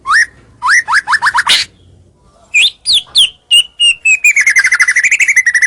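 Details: White-rumped shama (murai batu) lure song meant to draw rivals closer: a string of quick rising whistled notes, a harsh burst, then a long rapid trill of whistled notes rising and falling in pitch.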